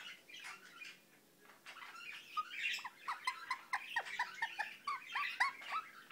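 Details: An Indian ringneck parakeet kept as a pet chatters in a mumbling run of quick, downward-slurred notes, repeated about twice a second and growing busier and louder toward the end.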